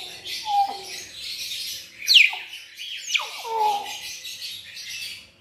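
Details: Hill myna mixing low, pure whistled notes with steep falling sweeps and rasping, noisy bursts. The phrases are delivered irregularly, roughly one every couple of seconds.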